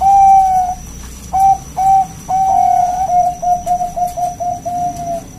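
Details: A local zebra dove calls loudly to lure other doves into calling: a long clear coo, a few short notes, then a quickening run of staccato coos at one mid pitch, with a faint steady high whine behind.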